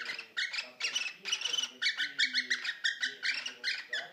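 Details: Courting caged cockatiels: a roughly year-old male pursues and mates with a female three years older. Dense scratchy squawks come in quick bursts, with faint low voices in the background.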